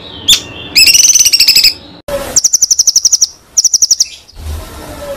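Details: White-rumped shama (murai batu) song used as a training recording for contest birds: a sharp note, then fast bursts of bright, high trilled notes that are cut off abruptly, followed by another rapid trill and a rough, hissing ending.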